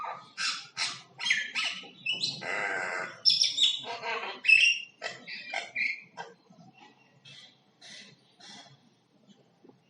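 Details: Varied singing of a common myna, mixing sharp clicks, rasping chatter and bright whistles over the first six seconds, then trailing into soft, sparse notes.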